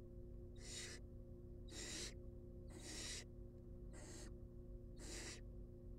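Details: Nest-box barn owl chicks, wild, being fed; five evenly spaced, loud, hoarse hissing rasps about one second apart, with a steady droning background.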